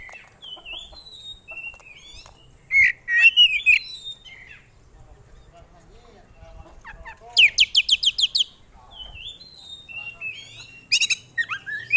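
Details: Oriental magpie-robin, prized in singing contests, in a varied run of fill-in phrases: wavering whistles, a loud cluster of squeaky notes, and a rapid rattling series of about eight sharp chips.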